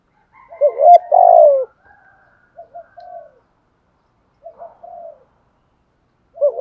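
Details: ["Captive lure spotted dove in 'thúc gù' style: one strong two-part coo, a brief rising note into a long falling one, followed by two quieter clipped coo phrases and the start of another."]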